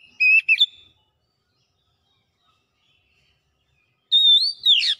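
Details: Oriental magpie-robin (kacer) in gacor song displaying its repertoire. A short whistled phrase with a quick buzzy ending is heard, then silence, then a rising whistle sliding into a harsh rasp.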